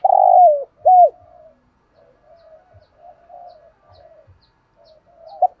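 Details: Spotted dove voicing in the 'thổ sấm' style. A loud, buzzy, descending coo and a bent, hooting note come first, followed by a long stretch of soft, low murmured cooing and a final short note.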